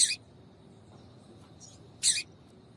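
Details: Double-collared seedeater female call, used to make males sing. Two brief, bright, rasping high notes sound about two seconds apart with a soft faint note between them. Light steady hiss behind.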